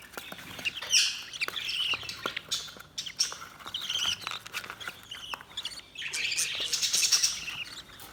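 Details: Several budgies twittering in continuous busy chatter, soft high squeaks and buzzy notes overlapping throughout with no clear pauses.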